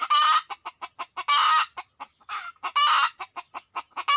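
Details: Red junglefowl during luring: dense, fast sequence of sharp clucks with three loud, grating squawks spread through the few seconds.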